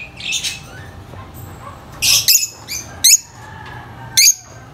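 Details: Noisy lovebirds with a high-pitched chirp: loud, shrill, squeaky chirps come in short bursts, four or five in under five seconds, against low background hum.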